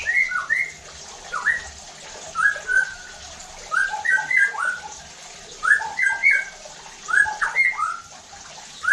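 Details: White-rumped shama song used as a lure to excite other shamas into loud singing: separate bursts of clear, varied whistled notes, some rising and some falling, spaced about every second or two.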